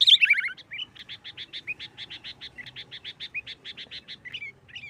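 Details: Sooty-headed bulbul in the 'nggaruda tarung' style, meant to draw out other bulbuls: after a loud opening chirp come many short, evenly spaced clipped notes, fainter and steady, with a low background hum.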